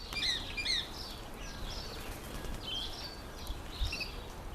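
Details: A female mountain chat gives short, high chirping notes, about one every second, some faint, over steady low wind noise.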